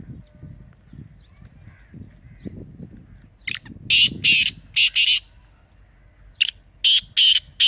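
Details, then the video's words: Partridge (teetar) with strident, grating bursts: five harsh notes in quick succession, a pause, then four more, after several seconds of low rumbling background. "Teetar Ki Awaz"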